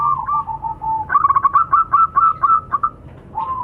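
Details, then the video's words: Local zebra doves, male and female, call back and forth in the "nutut" style: soft level coos, then a quick stuttering run of about a dozen bubbly, repeated notes, and a fresh coo starting at the end. "Suara perkutut lokal saling sahut."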